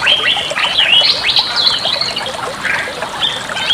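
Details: Bali myna song used as a master recording for training other birds: busy mix of harsh chattering notes and sharp whistled upslurs and downslurs, fairly loud, with steady hiss in the background.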